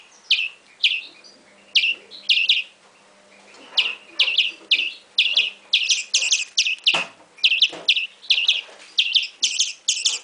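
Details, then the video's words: European greenfinch nestling begging, high downslurred chirps starting sparse, a short pause, then a faster, denser run of raspy paired notes; one soft thud midway. "cria de verderon"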